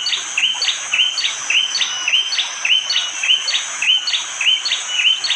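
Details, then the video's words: Bar-winged prinia in East Java, Indonesia, in forest at Wonocoyo Village, Panggul, recorded by phone on a rainy morning. Its sharp 'tembakan' song is a run of bright, clipped chirps, almost two each second, over a steady high insect drone. "Tembakan burung prenjak jali!! bikin murai BATU langsung emosi !!"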